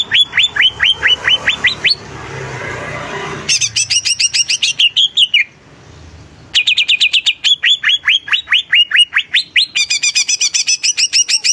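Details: Greater green leafbird in vigorous song: fast bursts of sharp, rising whistled notes repeated over two times a second, broken by short pauses, with some higher, thinner notes near the end and a faint rushing noise between bursts.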